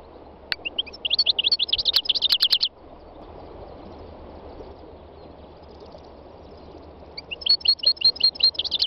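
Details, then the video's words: Spring song of a three-year-old North African goldfinch in the north-west Tunisian mountains: a quick, tinkling twitter phrase, a lull, then another fast run of high chirps, with wild birds singing close by. "My wild goldfinch singing تغريد مقنين خلوي"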